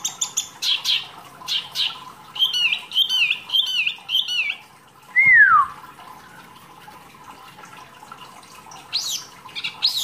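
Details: Mini wambi, a caged songbird, giving masteran training song material. Harsh squawky notes come in a repeated run, followed by one loud descending whistle and faint scratchy sounds.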